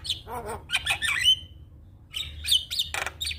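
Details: Black-winged starling champion song, a tutor recording for training birds to sing fast. Rapid squawky notes build to a drawn-out whistled ending, then after a pause come more sharp whistles and a burst of harsh rasping.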